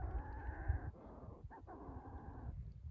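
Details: On an island, a real Manx shearwater answers census playback from an occupied burrow with harsh, drawn-out croaking notes in two long phrases with a brief break, over a deep rumble of wind and handling noise.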